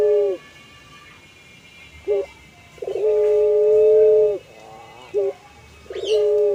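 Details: Puter pelung, an ornamental dove breed famed for its drawn-out, melodious song: a clipped coo, a short note, then a long steady hoot lasting over a second, followed by wavering coos and another held note.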